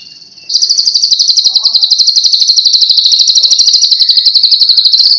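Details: White-rumped shama giving one long, high, steady note with a fast, even pulse running through it for several seconds, after a brief quieter tone.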